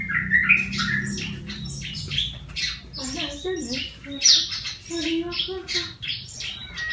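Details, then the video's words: Yellow-vented bulbul, a wild bird caught by luring and tamed, kept in care for one month and now starting to sing: busy, scratchy chattering notes and short squeaky chirps in rapid bursts, with a low human-like voice murmuring underneath. "Contoh Burung Trucukan (Jogjog) Liar Yang Dirawat 1bulan Udah Bersuara"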